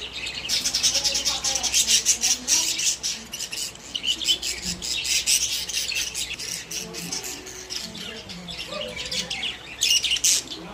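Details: Pet budgerigars kept together in a cage, a group of social parrots: dense, busy high chattering and warbling with rapid clicks and squeaks, rising and falling in bursts almost without pause.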